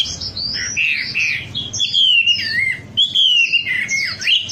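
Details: Wambi song used as a lure to make birds sing: loud, varied whistled phrases with sweeping rising and falling notes, twittering bursts and clear slurred whistles, delivered in continuous bouts with brief pauses.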